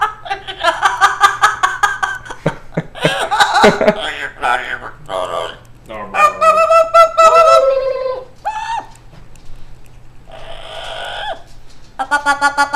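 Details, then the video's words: Pet yellow-naped amazon parrot indoors, laughing at its owner and talking: bursts of chuckling laughter, rich harmonic speech-like phrases, a drawn-out falling tone and a final run of quick rhythmic cackles, with human voices in a small room. "Yellow Naped Amazon Parrot talking and laughing"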